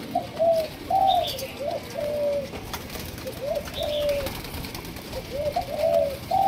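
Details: A two-month-old Malaysian-line spotted dove gives soft, low cooing phrases: a short hooted note and then a longer drawn-out croo, repeated about three times, with faint background hiss.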